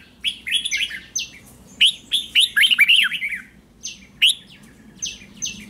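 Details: A red-whiskered bulbul sings its morning training song: an opening series of chirps, a loud fast warbled phrase, then spaced single bright notes and short whistles, with a low hum beneath.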